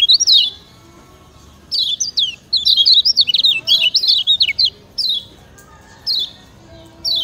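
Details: Master song of a Lombok lemon-bellied white-eye for tutoring other birds: a burst of quick, high warbled notes zigzagging up and down, followed by single falling chirps spaced about a second apart.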